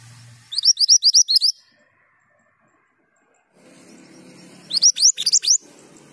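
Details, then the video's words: Male mantenan gunung singing actively: two bursts of about six rapid, high, upward-sweeping chirps, the second burst after a pause of roughly three seconds, with a faint low hum between. "Mantenan gunung jantan gacor"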